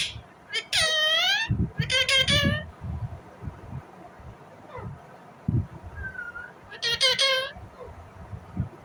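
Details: Natural calls of an Indian ringneck parrot: three bursts of harsh, harmonic, downward-bending squawks in the first three seconds, a short thin note later, and a final squawk pair, with low background knocks.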